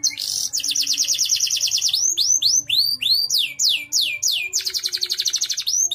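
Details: Canary singing steadily in the style prized for songbird contests and for tutoring other birds: a fast buzzy rolling trill, then a series of rising slurred whistles, then another rapid rolling trill.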